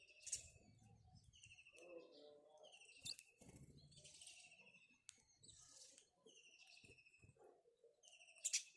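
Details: Rippling high chirps from a house sparrow, repeated several times, mixed with wing flutters, sharp knocks and a low background hum.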